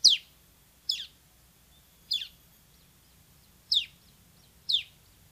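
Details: Bar-winged prinia, semi type, uttering single sharp descending high notes spaced about a second apart, five in all, against a quiet low hum.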